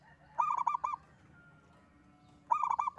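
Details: Single local zebra dove, actively singing. Two phrases of quick, stuttering, resonant coo notes about two seconds apart, with a faint steady tone and low hum between them.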